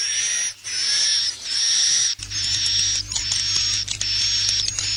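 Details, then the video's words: Swiftlet lure call played to attract swiftlets to nest houses: sustained high, buzzy, slightly wavering chirrup held for about a second at a time, repeated with brief gaps, over a low hum. "SUARA PANGGIL WALET 2021 TERBARU"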